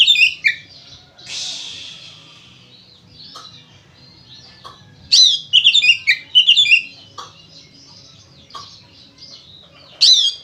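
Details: Oriental magpie-robin in full, steady fighting-style song, used as a lure to get other magpie-robins singing: loud bursts of varied high whistles and buzzy trills in clusters around the middle, with scattered quieter notes and a soft low hum in between.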